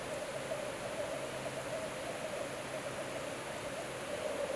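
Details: Black grouse at a spring lek on the Breimåsan bog, Norway, giving a steady, low bubbling coo that rolls on without a break, over a loud wash of background hiss.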